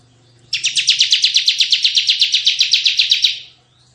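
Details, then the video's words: Bar-winged prinia in full tembakan song for luring and tutoring other birds: a dense, high, buzzy trill of rapid repeated notes running about three seconds, over a soft low background hum. "suara tembakan CIBLEK GACOR"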